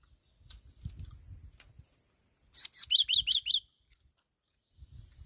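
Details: Soft low rustles and thumps come first. Then a black-throated laughingthrush gives a high upslurred note followed by five quick, ringing inverted-V chirps, with a faint steady whine in the background.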